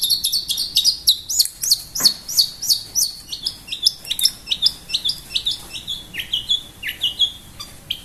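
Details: Long-tailed shrike, called pentet, singing energetically: a fast, continuous run of high, sharp chirps and downslurred whistles, varied and jumbled, about three notes a second, with quiet background hiss.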